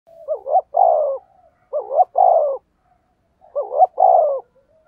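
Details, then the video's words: Spotted dove cooing to lure wild doves: three low, hollow phrases, each a quick wavering double note followed by a longer steady coo, repeated about every two seconds in quiet surroundings. "tiếng chim cu gáy thúc gù hay nhạy bổi, bổi nghe rất xiêng gáy"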